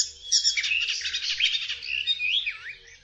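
An Icterine warbler sings a fast, varied jumble of high chattering notes, squeaky whistles and harsh phrases, with a rising and falling slur near the end.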